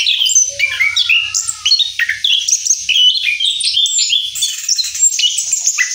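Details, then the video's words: Post-moult rolling song from an Orange-headed thrush: a busy, continuous medley of quick high whistles, stepped notes and twitters, loud and sustained throughout. "Anis Kembang Ngeroll Setelah Mabung"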